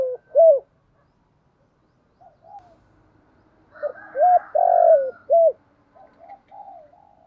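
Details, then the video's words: Cooing spotted dove used to draw in wild doves; a brief hooked coo, a long quiet gap with soft murmurs, then a loud cluster of short coos around a drawn-out rolling coo, trailing into low mutters. "Chim cu gáy gọi bổi"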